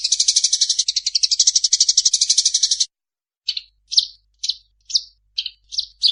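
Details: Fighting call of a Eurasian tree sparrow, opening with an almost three-second rapid rattling chatter, then, after a brief silence, six short sharp chirps spaced about half a second apart.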